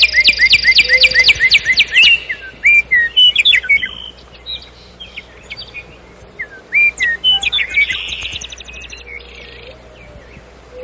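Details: Common nightingale song: a fast rattling run of repeated notes, then separate whistled slurs, a long quiet gap, and a buzzy burst followed by more whistles.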